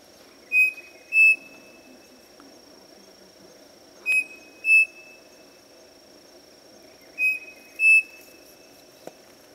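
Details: Striped cuckoo (Tapera naevia) at a farm inn in Monte Alegre do Sul, São Paulo, Brazil, giving clear paired whistles, the second slightly higher, about every three seconds over a steady high insect drone and low hum.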